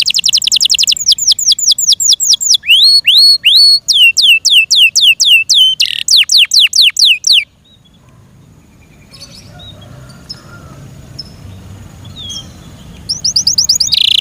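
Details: Yorkshire canary kept in care delivering quick descending whistled sweeps and looping notes for several seconds, then a long quiet gap with faint noise before the sweeps return.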